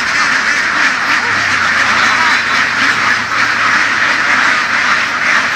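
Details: Laying ducks herded on open fields by farmers of Vietnam's western region; a packed, steady din of overlapping quacks with a low motor hum running through the middle.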